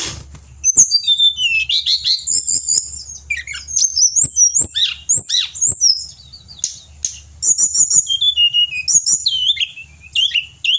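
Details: A Pied bushchat singing strongly for Indonesian bird keepers pours out a rapid, jumbled sequence of high twitters, slurred whistles and short rattles, with brief gaps between phrases and a faint low hum behind.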